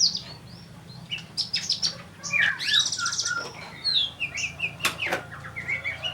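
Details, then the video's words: Kolibri ninja (sunbird) singing a full repertoire: scattered high chirps and short squeaky slurs with brief pauses, a few loud clicks, and a steady low hum in the background. "Kolibri ninja Gacor full materi"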